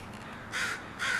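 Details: Part of a crow group known as the brood arriving at a house and making a racket; two rough, buzzy caws about half a second apart against soft background noise.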